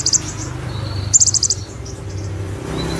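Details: Olive-backed sunbird song with imitated Cililin and Ciblek material: two brief trills of rapid, very high ticking notes, the second and louder one near the middle, over a low steady hum.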